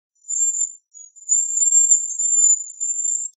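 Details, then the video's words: Bohemian waxwing giving a very high, thin, continuous trilling whistle that holds one pitch for about three seconds with a short break near the start. No other sounds. "Bohemian Waxwing Song! Bohemian Waxwing Voice! Singing - Ampelis Europeo Canto"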